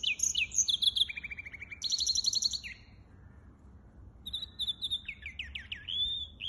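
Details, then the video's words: Singing hybrid finch recorded 23 April 2023: quick high twitters and a dry rattled trill, a pause, then a string of rising whistled slurs and chirps, with a low background hum. "гибрид поёт"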